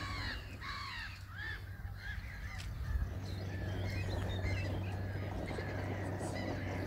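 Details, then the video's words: Greylag geese and goslings at the Wildfowl and Wetlands Trust, Arundel: loud, arched, piping notes in rapid clusters early on, then softer, scattered peeps continue over a steady low hum. "Greylag geese and goslings"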